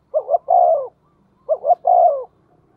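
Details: A spotted dove used as a decoy, cooing in the thổ style. Two phrases, each two brief rising hoots and then a sustained, gently falling coo, are heard about a second and a half apart.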